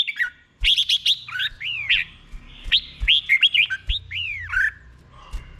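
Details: Red-whiskered bulbul in a cage, 'boen' doubled song style played for other birds to copy; bright, chirpy phrases of arched whistled notes that swoop up and fall, repeated in short bursts with soft low rumble beneath.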